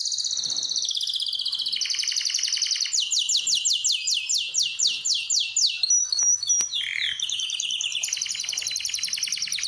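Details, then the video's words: Domestic canary song from a bird room prepared for breeding, made of long, fast rolling trills that change pitch in steps, a run of downward-slurred notes, brief sharp whistles, then another high buzzing trill. "غرفة طيور الكناري مع تغريد روعة"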